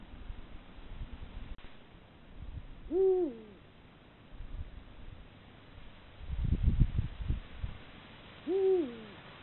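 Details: Eurasian eagle-owl pair, male and female, at dusk on a sharp rocky hilltop they visit nightly, calling in courtship and to warn neighbouring rivals off their breeding territory; two deep, level hoots dropping at the end, about six seconds apart, with low rumbling noise between.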